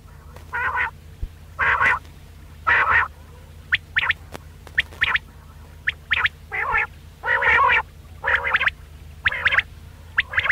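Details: Quail voice for luring birds when hunting: rasping, buzzy bursts alternate with brief sharp clipped notes, about one each second, irregularly spaced. Constant low hum throughout.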